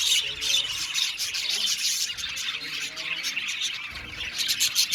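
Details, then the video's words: Budgies in an aviary chirp loudly and constantly, a bright, crowded twittering with rapid clicky notes and scratchy warbles throughout. "Parakeet sound | budgies singing and chirping sounds"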